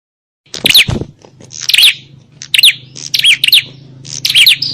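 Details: Bar-winged prinias in a noisy fight, a recording used to lure wild prinias: loud bursts of sharp, buzzy chirps with quick rising and falling twitters, about one burst per second, over a faint low hum.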